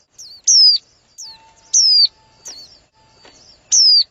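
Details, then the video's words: Female white-eye calling to stimulate a male: loud, high, whistled notes sliding downward, each about a quarter second, at irregular gaps of one to two seconds, with softer curled twitters between and a faint steady hum. "CHIM VÀNH KHUYÊN MÁI KÍCH TRỐNG"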